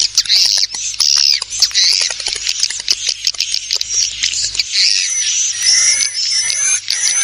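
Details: Swiftlet lure call used to draw in swiftlets, made of bursts of shrill, rapid twittering chirps with short gaps, a few thin rising whistles, and a faint low hum underneath.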